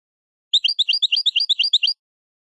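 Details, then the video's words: European goldfinch song meant for schooling young goldfinches, a clean, rapid string of about a dozen high, tinkling, evenly spaced notes lasting under two seconds. "chant maknin pour écolage jeune chardonneret"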